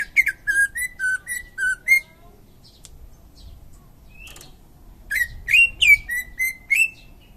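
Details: A champion greater green leafbird from Indonesia gives two bursts of song: five quick whistled notes, a pause, then another rapid phrase of slightly higher, slurred whistles, about three notes per second.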